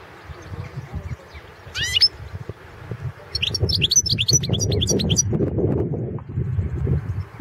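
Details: European goldfinch of the Balkan form, caged competition singer recorded in Serbia for a 2016 online singing championship, giving a short burst of rising twittering notes, then a longer run of fast tinkling, liquid trills over low rumbling background noise.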